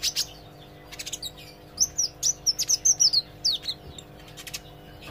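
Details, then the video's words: Olive-backed sunbird learning to sing, practising gacor and ngobra chatter: high, thin twittering notes with sweeping whistled slurs, delivered in a quick uneven run of about a dozen phrases, over a steady low electrical hum. "suara kolibri ijo belajar gacor & ngobra"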